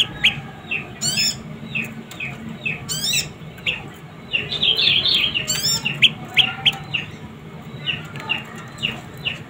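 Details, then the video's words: Juvenile prinia, described as highly vocal, uttering a rapid, uneven stream of sharp, high, falling chirps, with a few rising whistled sweeps and a scratchy chatter. "Suara anakan burung prenjak lumut gacor mantab"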